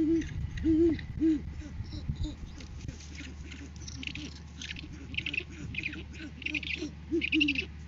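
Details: Courting-season great horned owl pair recorded on a live cam on 7 January 2023 as the male brings food to the female; low hoots open and close the clip, with clusters of harsh, scratchy higher calls in between and background hum.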